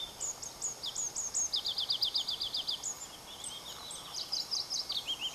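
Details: Singing Pallas's leaf warbler, Erdenebulgan, Mongolia, July: high slurred notes, then a rapid rolling trill of about a dozen even notes, later a mixed burst of chips and downslurs.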